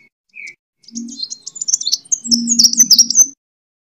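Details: A sunbird sings a fighting song, kolibri tarung, used as a lure to train birds: one thin note, then an accelerating tumble of high, sharp twitters and squeaky chirps.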